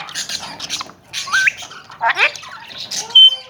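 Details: Alexandrine parakeet, a tame Kashmiri raw bird from Pakistan described as talking, giving grating chattery squawks with a short upslurred whistle and ending on a sharp loud screech, indoors.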